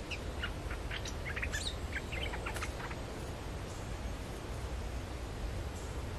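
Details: Streak-eared bulbul sounds played as a lure for the local territory holder; a burst of short sharp chirping notes in the first three seconds, then mostly steady low background noise.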